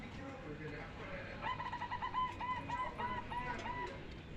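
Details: Zebra dove calling: a run of short, clipped, even-pitched coo notes followed by a few longer, smoother notes, with faint voices and other background noise underneath.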